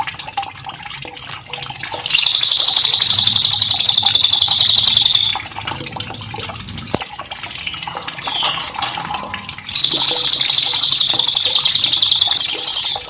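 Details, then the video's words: Cililin singing vigorously, used as a master song for training cage birds: a high, rapid, buzzy trill in two bursts of about three seconds each, separated by a quieter gap, over a steady background of running water. "cililin gacor cocok untuk masteran"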